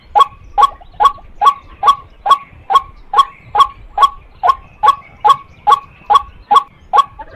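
A female white-breasted waterhen gives a steady run of harsh, mid-pitched 'kwak' notes, about two or three each second, with no other clear sounds.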